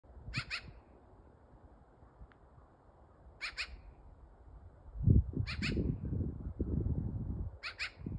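A magpie gives four harsh, raspy squawks spaced about two seconds apart, over low rumbling wind or handling noise.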